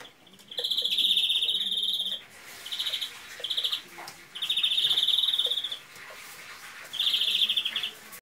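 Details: A European greenfinch gives a flawed, faulty-transition song, high rapid rattling trills of one to one and a half seconds each, with short breaks and faint background hiss.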